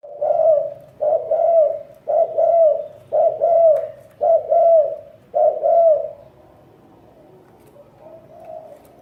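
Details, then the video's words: Loud, close spotted dove singing its gù coo: six rich, low double-noted phrases in quick succession, each slightly falling, then a quieter coo after a pause. "Tiếng chim cu gáy có giọng gù hay nhất"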